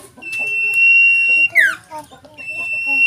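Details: Sooty-headed bulbul, a fairly tame caged bird being trained to sing readily, giving long steady whistled notes, a sharp descending slurred note in the middle, with a faint scratchy background.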